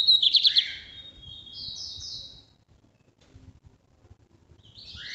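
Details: Northeast-type song of a lined seedeater from Brazil: a quick run of sharp high trilled notes, then a buzzy falling phrase and two raspy bursts, followed by a pause and a new rasping phrase starting.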